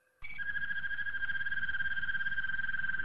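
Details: Malinois Waterslager canary training song, a single long, steady whistled tone held evenly for almost three seconds after a brief higher opening note, with a faint hiss underneath.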